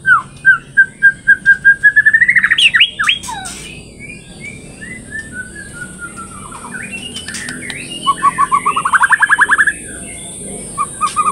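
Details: Third-generation captive-bred straw-headed bulbul singing actively, its song described as richly filled with learned material: a fast series of repeated whistled notes building into twisting warbles, falling slurs, then another rapid run of rising notes.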